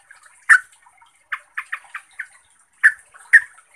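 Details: Trucuk song meant to provoke rival birds into agitated singing. Loud, sharp chips are separated by clusters of quicker, softer clipped notes, all bright and evenly pitched, against a clean, quiet background.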